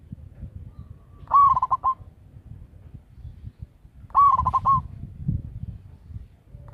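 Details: Zebra dove of a local strain, loud and used to lure other doves, gives two rolling coos about three seconds apart. Each is a quavering phrase of rapid pulses. A third call starts at the very end over low rumble.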